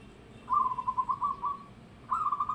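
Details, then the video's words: Local zebra dove with a loud voice: a rapid rolling, trilled cooing phrase lasting about a second, a short pause, then a second trilled phrase starting, over a low steady background hum. "Perkutut Lokal Suara Lantang"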